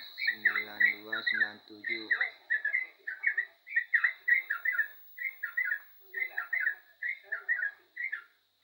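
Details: Yellow-vented bulbul singing lively bursts of two or three mellow, bubbling notes, about one burst a second, with a short low buzzy sound near the start and a steady thin high tone throughout.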